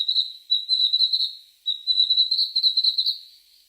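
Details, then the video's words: Unnamed bird giving sustained high whistled phrases, slightly warbling and roughly level in pitch, each lasting about half a second to a second and a half, separated by short pauses, with no other sounds. "burung apa ini ?"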